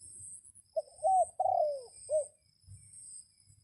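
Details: Red junglefowl rooster crowing to lure wild birds in rainy weather: one crow of four parts, a brief opening note, an upswept note, a long sliding descending note and a short closing note, with a continuous shrill background hum.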